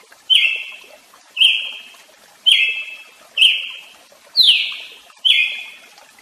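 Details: Brazilian tanager (tiê-sangue) singing six strong, clipped notes in a steady series roughly a second apart, each opening abruptly and trailing off, one pitched slightly higher and sliding downward.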